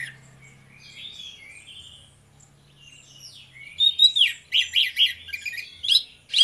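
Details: Orange-headed thrush pair in ngeplong song: soft slurred whistles at first over a low hum, then from about four seconds a loud run of quick, piercing, repeated high notes.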